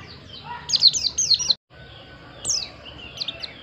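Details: High, thin White-eye song: a rapid run of about five falling chirps, a sudden cut to silence, then a few scattered fainter chirps over quiet hiss.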